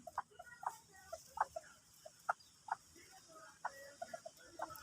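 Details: An Indonesian bantam (ayam kate) hen showing signs of being ready to lay clucks in short, irregular bursts, with a soft murmur of speech.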